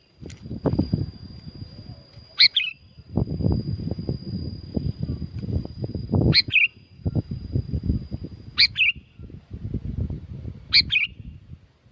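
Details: Sooty-headed bulbul at Curug Agung, Subang, West Java, Indonesia, used as a lure for silent birds: four short bright chattering phrases about two seconds apart, partly masked by heavy, continuous low rumbling noise.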